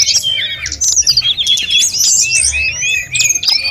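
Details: Snowy-browed flycatcher singing actively for training other songbirds; sweeping whistled notes and quick high chirps in short flowing phrases, separated by small breaks.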